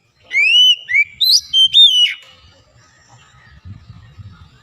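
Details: White-rumped shama kept as a cage bird gives a burst of rich whistled song: several loud slurred rising-falling notes within two seconds, then quiet with faint low background noise.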